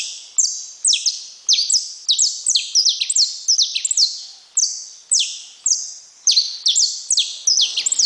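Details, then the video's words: Saffron finch pouring out a long sequence of loud, shrill notes that drop in pitch, delivered in quick clusters with resonant echo. "Canário da terra"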